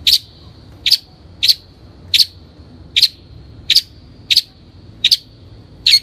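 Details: Long-tailed shrike (Lanius schach) on a training lure recording: ten harsh, bursting high notes each ending in a short sustained whine, spaced about 0.6 seconds apart in a steady rhythm, over quiet low background rumble.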